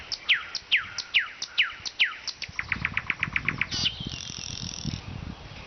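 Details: Nightingale singing in the city of Vologda, Russia: five loud, sharply falling whistled notes in steady succession, then a quick run of short repeated notes and a brief high trill, over low rumbling background noise.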